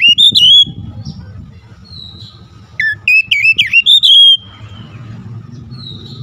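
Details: Oriental magpie-robin singing actively. A bright whistled phrase leads into a soft fading whistle, then a rapid series of sharp, looping whistled notes and a long drawn-out descending whistle, with a low background hum.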